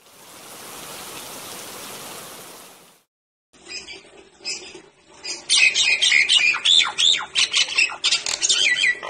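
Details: A Nias hill myna, recorded as a lure to prompt other mynas to sing, gives loud, clear whistles mixed with harsh squawks in quick succession after a few seconds of steady hiss.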